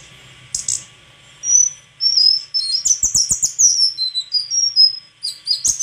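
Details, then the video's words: High whistled notes from a white-throated flycatcher build into a rapid chattering series of bright chirps and thin slurred whistles, with a few clicks. "Sikatan krongkongan putih suara gak kalah sama burung kicau lain"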